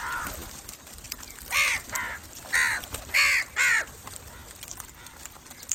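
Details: A quick burst of five raspy crow caws packed into about two seconds, preceded by one softer call, then quiet.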